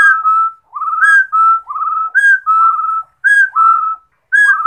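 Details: Rufous-throated partridge song of clear, pure whistles: a high short note then a longer steady one, phrases following closely every second or so.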